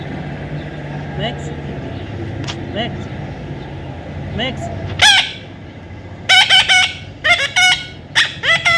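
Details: Baby parrot being handled for taming gives short, sharp squawks, quiet and spaced at first, then louder clusters of rasping, downslurred calls come in quick succession near the end over a low background hum.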